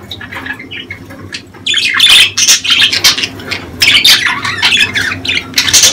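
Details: Budgerigars in breeding season, their mating-time calls used to stimulate females to lay eggs: a quieter start, then from under two seconds in a dense stream of harsh squawks and rapid chirps.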